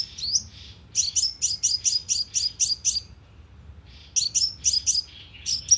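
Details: Sunbird lure sound for a loudspeaker bird trap: a string of piercing high chips about four each second, a pause of about a second, then another rapid string.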